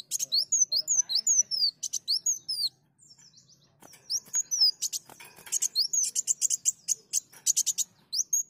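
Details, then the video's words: Sunbird song for luring birds: fast high chirping strings, then a stretch of dense buzzy trilled notes, with a short quiet gap near three seconds and faint low rumble. "Pancingan Kolibri Daun Bocor"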